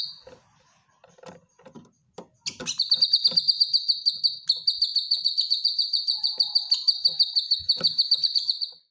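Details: Caged cucak kinoy bulbul gives a training song. A few scattered clicks and soft notes give way to a harsh burst, then one long, fast, even high trill of about six seconds that fades at the end.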